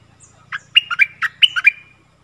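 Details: Wild stripe-throated bulbuls respond to a caged bird's singing, 1 April 2021; they approach but do not descend, likely because chicks are in the nest. A clear, chortling phrase of about eight warbled notes stands out in stillness.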